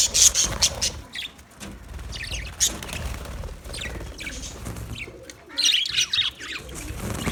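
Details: Aviary budgerigars in Australia chirping and chattering in loose bursts, sharp high tweets and scratchy notes, with wing flutters and low background noise between calls.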